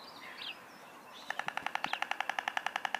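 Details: White stork nesting on a building: after a quiet start, a fast, even run of dry rattling pulses begins at about seven per second and keeps going to the end, with faint small-bird chirps earlier.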